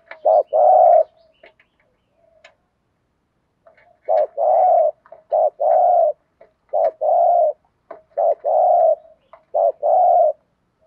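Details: Lure spotted dove calling 'thúc gù' to attract wild birds: after a brief pause, a steady series of low hollow coos in short-long pairs, with small clicks and taps in the background.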